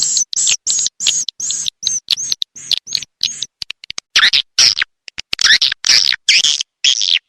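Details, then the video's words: Swiftlet, rainy-season call: a run of about a dozen evenly spaced, clipped high chirps, then broader, harsher twittering bursts in the second half. "Suara Walet Sp. musim Hujan original"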